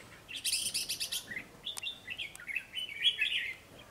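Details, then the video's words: Wild-caught red-whiskered bulbul, an eager singer, gives a burst of rapid buzzy chirps, then a run of lively, quick warbled whistles rising and falling, against faint background hiss. "Chào mào bổi siêng cầu tốc độ mỏ tốt"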